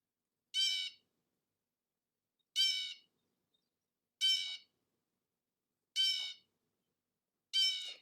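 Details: A Blue Jay, a species that overwinters in southern Maine, gives five harsh, raspy jeer calls, heard as an alert making others aware of its presence, each about half a second long, spaced roughly every one and a half seconds; no other sounds.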